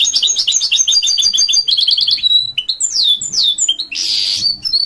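A goldfinch mule sings a bright, fast run of repeated chirps, buzzy trills and rising whistled sweeps.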